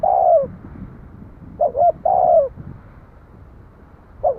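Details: Spotted dove: a long falling coo, then two short hoots and another extended downward-slurred coo, and a brief hoot at the end. Soft low rumble underneath.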